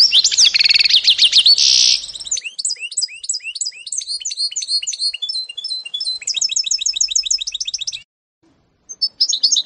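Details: Song of a canary-goldfinch mule recorded in 2018: fast, high, sweeping notes and rolling trills strung into a continuous warble, then a short silence before another burst.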